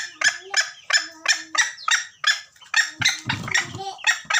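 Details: Junglefowl lure call for trapping birds, Gunung Kambeng: harsh, repeated cackling notes about three a second, with a low buzzing sound and a brief rumbling noise overlapping late in the series.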